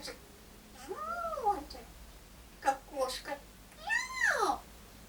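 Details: An African grey parrot named Roma, who likes to imitate coughing to get attention, imitates a cat with two drawn-out meows that rise and then fall, with a person speaking briefly between them.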